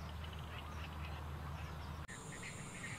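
Purple swamphen giving short nasal, honking squawks in quick succession over a steady low rumble; a thin high whine sets in during the second half.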